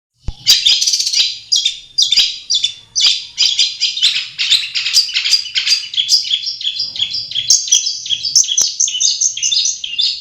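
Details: Long-tailed shrike singing in its natural habitat: a dense, continuous run of high, scratchy chattering notes and short whistles, with a few sharp clicks mixed in.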